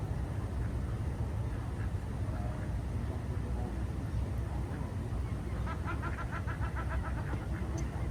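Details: Morning at the Jardin aux Canards pond in Monaco: ducks on the water, a constant low rumble, then a quick burst of several nasal, rapidly repeated calls near the end.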